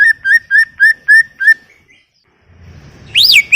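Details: Greater green leafbird in vigorous song: a string of six short, evenly spaced whistled notes with slight upward inflection, a brief pause, then one loud arching whistle.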